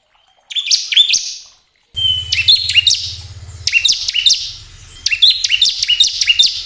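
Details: Bar-winged prinia song played to stimulate caged birds: repeated phrases of high, sharp, clipped chips and buzzy notes, with a low steady hum underneath for part of the time.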